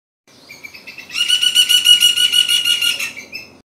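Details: A red-backed flameback woodpecker in Sri Lanka gives a loud, harsh, rapid rattling trill lasting about two seconds, introduced by a few softer, higher notes.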